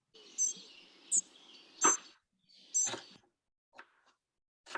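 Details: Mainland Spotted Flycatcher sings its territorial song at a slow tempo with a narrow frequency range: thin, high, squeaky notes given slowly and unevenly, about one a second, with little variation, over faint hiss and a few clicks.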